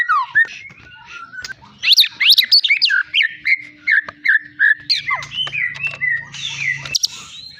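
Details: Champion long-tailed Medan white-rumped shama, a kept contest bird, delivering a varied, melodious song of sharp upslurred whistles, rapid chirps and descending slurred notes, with a low steady hum running beneath part of the phrase.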